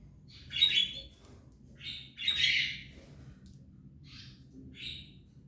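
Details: Three Belgian canary chicks in the nest with their parent pair, a caged domestic family, give harsh high squawking bursts, several drawn-out rasping calls in about five seconds, with short gaps between them and a faint low hum.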